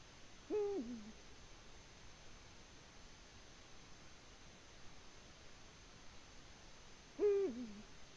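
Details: Eurasian eagle-owl at the nest, Latvia, 14 February 2020: two deep, arched hoots with short low endings, spaced about seven seconds apart against soft, steady background hiss.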